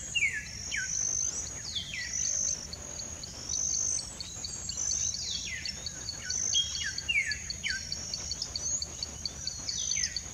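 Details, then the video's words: An olive-grey saltator gives clear, downslurred whistled notes, repeated every second or two, over a steady high insect drone. "Olive gray saltator"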